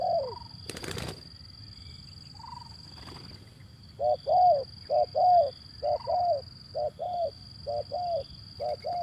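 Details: Male zebra dove calling, played to stir up doves that stay silent: after a sharp click and a couple of soft notes, a regular run of paired low coos starts and repeats roughly every second, with a thin steady high tone throughout.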